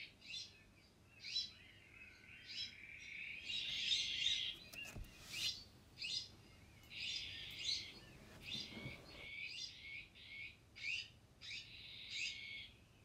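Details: Iberian magpie, also known as the azure-winged magpie, giving harsh, rasping bursts roughly every second. The calls come in dense overlapping runs, as from several birds, with a steady buzzy undertone between them.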